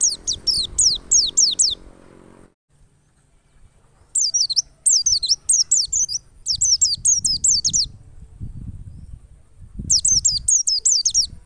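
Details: Wild white-eye singing, meant as a lure to get caged white-eyes to open their beaks: repeated bursts of high, wavy, fast-looping whistles, a brief silent gap, faint low murmur underneath.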